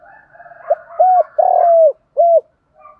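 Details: Spotted dove used as a lure bird in the morning, calling to provoke a rival into fighting. Loud, low hollow coos: a short note, a long drawn coo, then another short coo, with faint softer cooing before and after.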